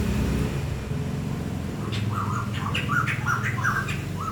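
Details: Bird song described as beautiful: a series of short, bright chirps with rising and falling inflections that begins about halfway through, over a steady low engine-like rumble.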